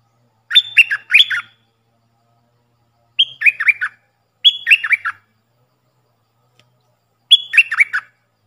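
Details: Puff-throated bulbul decoy recording used to train young birds: four lively phrases of three or four bright, downward-slurred chirps, coming at irregular intervals over eight seconds.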